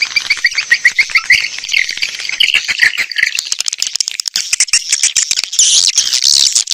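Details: Swiftlet-attracting sound for outdoor and indoor speakers: quick repeated chirps at first, building into a thick chattering chorus with a brighter, higher burst near the end.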